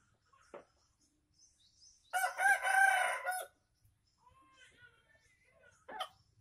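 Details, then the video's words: Junglefowl from Aceh, Indonesia, sounded to attract wild birds: one strong, scratchy crow about a second long mid-clip, with faint clicks and soft notes around it and a sharp tap near the end. "Ayam Hutan Aceh # Pikat F 1"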